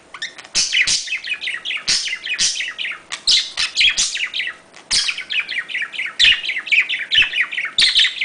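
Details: Pet budgerigars, domestic parakeets native to Australia, in a breeding-stimulation recording: dense, continuous warbling chatter of rapid high chirps and squeaky notes, overlapping and rising and falling, broken by sharp clicks, seemingly indoors.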